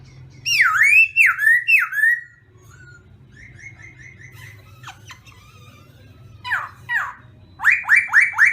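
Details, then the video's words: Morning voice-training song of a black-throated laughingthrush: three loud dipping whistles, soft rapid level notes, scattered sharp calls, then quick loud downslurred notes repeated about four times per second. "Khướu mun hót luyện giọng . Khướu hót sáng luyện giọng kích bổi"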